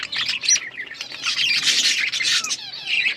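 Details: Breeding budgerigars chattering in a steady rush of raspy warbles, squeaks and harsh squawks, several voices overlapping with no pause.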